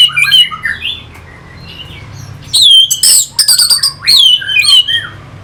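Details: Orange-headed thrush, a caged bird, song meant to stimulate fighting birds; soft warbled phrases at first, a quiet pause, then loud sharp clicks and ringing slurred whistles repeated rapidly, low hum throughout.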